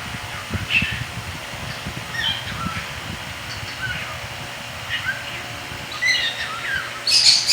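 A cockatiel gives scattered short chirps and squawky notes, with a louder burst near the end.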